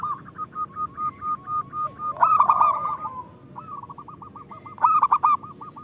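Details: Local zebra dove song as a lure for lazy singers: a measured series of separate soft coos, then a louder harsh burst followed by faster rolling cooing notes.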